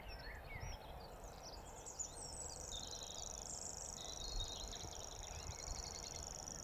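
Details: Grasshopper warbler reeling at Totteridge Valley on 6 May 2017: after some scattered chirps from other birds, a continuous, very high, insect-like buzzing reel sets in and runs steadily to the end over low wind rumble.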